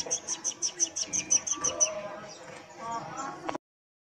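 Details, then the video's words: Sunbird singing actively with its tail dancing, as a person speaks nearby: a rapid run of about ten sharp, high chirps in under two seconds, followed by a softer, noisy stretch with faint mixed sounds. "Kolibri Wulung Gacor Ekornya Menari-nari"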